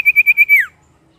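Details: Brief prinia phrase meant as a singing lure for other birds: five quick high pulses, then a note sliding downward.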